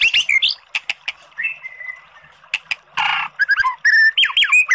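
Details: Oriental magpie-robin song to goad a sluggish bird into singing: scattered clicks and short whistles, a harsh rasp, then quick varied rising and falling whistled notes.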